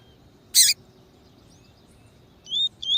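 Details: Double-collared seedeater in the tui tui song style, used to train birds and warm up singers: a sharp broadband burst early on, then two quick, high, rising whistled notes near the end over quiet background.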